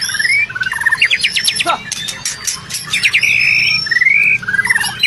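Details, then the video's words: White-rumped shama song meant to make a silent, stressed shama reply: bright rising notes, fast repeated rattling strokes, and short buzzy trills, with a low hum underneath. "MURAI BATU MACET, STRES Langsung NGRESPON dan Nyaut Denger KICAUAN INI"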